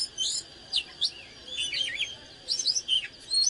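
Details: Oriental magpie-robin singing in excited 'căng lửa' form. Spaced groups of bright slurred whistles and short twittering notes come with small pauses between the bursts.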